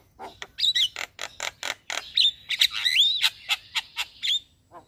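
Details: Javan myna singing in the morning, a master recording for training caged birds: harsh broadband chacks mixed with high whistled slurs and a long rising-falling whistle in the middle.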